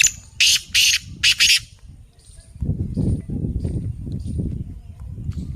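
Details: Black francolin of the pure Lakka Nasal strain, described as a fast 'speed master' caller giving 12 calls a minute: four harsh, grating, high bursts in quick succession, followed by low rumbling background noise.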